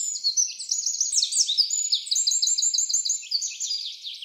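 A wren pours out a loud, high, rapid song of tumbling trills and sharp repeated notes, running without pause for over four seconds.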